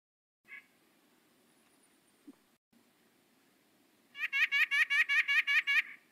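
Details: A White-breasted Nuthatch call, identified with Merlin Sound ID: one lone note, then a quick run of about nine nasal, laugh-like notes at roughly five per second, with quiet room hum behind.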